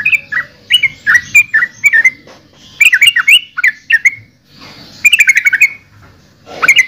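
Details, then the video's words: Yellow-vented bulbul singing lively bubbly phrases of slurred notes, repeated in groups with short gaps, then a quick rattled burst near the end. "Suara Burung Trucukan"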